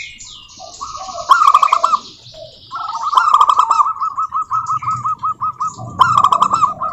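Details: Lure recording of local zebra doves to spur others into song: a loud rippling phrase, then a long chain of even repeated coos, ending with another rapid burst of notes.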